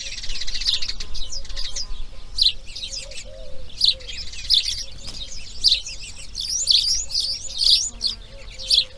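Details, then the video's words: Busy chatter of grey heron chicks in the nest during the second day of breeding: continuous rasping notes that swell into louder harsh peaks every second or so. "RELAX SONIDOS IMAGENES NATURALEZA | Garza real (Ardea Cinerea) Crianza Dia 2| Grey Heron Breeding"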